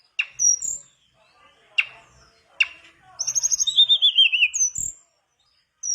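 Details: Mangrove blue flycatcher song for luring other birds to sing: a few sharp notes with pauses, then a high warbled phrase and a rapid wavering descending trill.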